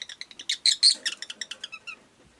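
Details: Agapornis roseicollis, the rosy-faced lovebird, uttering a fast run of about a dozen bright, ringing chirps that swell in loudness, then fade into two thinner whistled notes.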